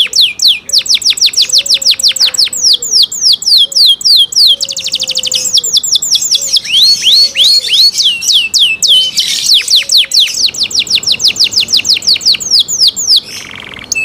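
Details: Long cenkok-style canary song, loud and clear: falling whistled sweeps, rapid trills and rolls alternating over several phrases, with faint low drawn whistles in the background.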